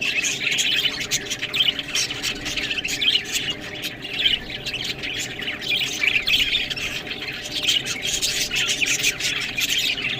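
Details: While eating green food, budgies give harsh squawks mixed with high scratchy warbling, a steady busy chatter with frequent sharp clicks.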